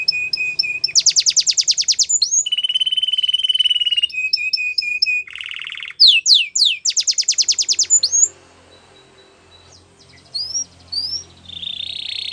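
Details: Varied training song from a yellow canary: a steady mid trill, fast rattling rolls, a low buzzy segment and sweeping whistles, then a quiet pause before scattered rising notes and a final buzz.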